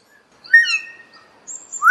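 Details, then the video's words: Common hill myna (Gracula religiosa), a South and Southeast Asian starling, giving loud, clear whistles: a rich, slurred note settling into a long steady whistle, then a thin, very high whistle and a quick rising note. "O Canto do MAINÁ DA MONTANHA (Gracula Religiosa) Bird Song - Hill Myna"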